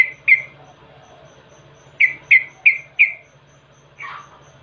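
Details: Yellow-vented bulbul lure sound meant to draw birds into singing: a pair of sharp downslurred chirps, a pause, then four quick matching chirps about a third of a second apart, with a soft low hum underneath.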